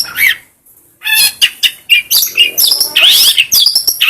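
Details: Long-tailed shrike song meant for training other birds: a short whistled phrase, a half-second pause, then dense rapid chatter of squawks, chirps and bright slurred whistles, roughly two notes a second.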